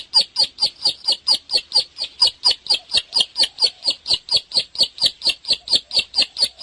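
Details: Energetic song of a bar-winged prinia (ciblek): a rapid, steady run of clipped, buzzy high chips, roughly two each second, delivered without a break against a quiet background.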